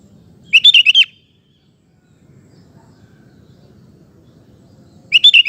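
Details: Sooty-headed bulbul in full song, used to prompt male bulbuls to answer: a half-second run of rapid, rolling whistled notes, then a silence with soft low rumble, and the start of the next phrase.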